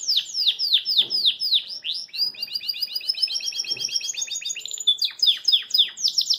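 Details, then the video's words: A caged Belgian canary sings a fast, bright song while hopping in its cage: runs of high descending whistles, then a rapid trilled roll and more swooping notes, with faint background rustling. "CANÁRIO BELGA CANTA PORQUE GOSTA"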